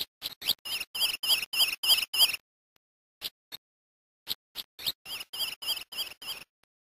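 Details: Grey-eyed greenlet from Brazil giving quick strings of high, clipped notes, a loud rapid series at the start, a pause with a few isolated notes, then another fast run; clean background.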